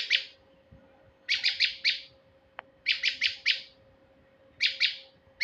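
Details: Male prinia, recorded as a bird lure: repeated clusters of three or four harsh, high, rattling notes with short silent gaps. A single click falls midway, and a steady electrical-like hum persists.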